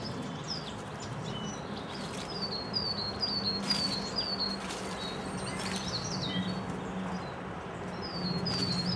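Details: Feeder-visiting lesser redpoll in Hampshire, at least two present: scattered high, thin, descending twitters in loose clusters, with a steady low hum and rustling background.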